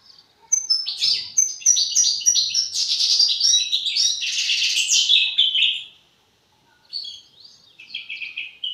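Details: European goldfinch young bird rehearsing its developing song, a dense, rapid twittering phrase of about five seconds, a pause, then a few thinner, scattered buzzy notes.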